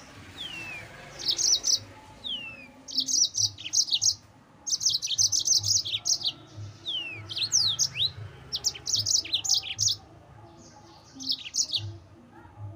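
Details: Yellow-fronted canary singing a continuous 'ngerol' song, played as bait to provoke rival birds. Clusters of rapid, very high, sparkling chirps come in bursts, with thin descending whistles slipping between them, carrying on steadily.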